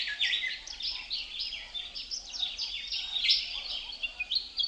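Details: Outdoor bird chirping amid leaves stirred by wind, a constant high-pitched jumble of many quick tweets and clipped whistles overlapping throughout.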